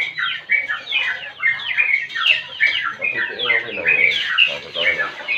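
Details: Sooty-headed bulbul in energetic ngropel song used for tutoring and provoking other birds: dense, bubbly slurred notes running on continuously, with some lower rough sound partway through.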